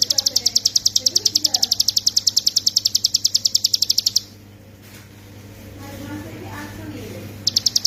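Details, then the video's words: Hill prinia singing as a master recording for training songbirds, in the rapid 'ngebren' style. Fast, evenly spaced sharp high notes run for about four seconds, roughly ten per second, then stop. Faint low voices and background murmur are audible. "ciblek gunung paling dicari sebagai masteran"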